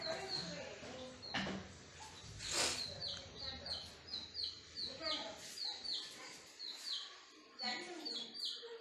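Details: Several chicks give quick downward-sliding peeps in close, irregular bursts, with occasional louder rustling or knocking noises breaking through.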